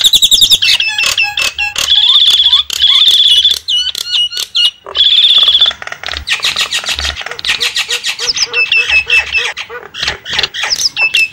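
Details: Javan myna lure sound opening with loud, shrill, sustained whistled notes repeated several times between bursts of chatter, then turning into a fast, noisy stream of squawks and short clipped notes.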